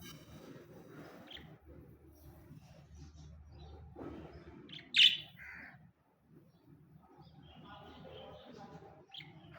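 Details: Pet budgerigar indoors, one of two kept together, giving one loud bright squawk-like chirp midway between softer scattered twitters and squeaks, with a quiet low hum underneath.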